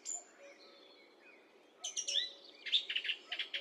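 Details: Song thrush singing, high definition microphone recording: a soft quiet opening followed by bursts of rapid chattering, buzzy notes in the second half, over a faint low hum.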